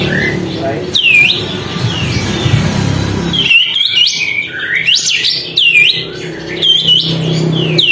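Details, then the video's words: Sooty-headed bulbul singing hard with tail spread to excite other birds; after a noisy, rumbling opening, a string of swooping whistled notes follows in quick succession. "kapas tembak gacor buka ekor, untuk memancing emosi burung lain"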